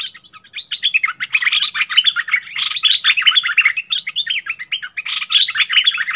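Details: Bulbul, kept bird dueling fiercely with a wild bird, 27 March 2021: a dense, continuous run of quick warbled and chirping notes that jump up and down, with short phrases overlapping almost without pause.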